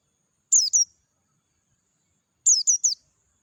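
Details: Wild Dakun-type Oriental white-eye singing clearly in natural surroundings: one burst of two sharp, high-pitched descending chirps, then a pause of nearly two seconds and a burst of three similar thin, slurred notes, with near silence between.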